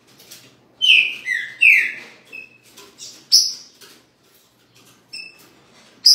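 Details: A new, captive Green-winged saltator in Rio de Janeiro, said to be singing weakly, gives loud, clear whistled phrases of slurred, downward notes, then a few thinner high whistles after a short pause.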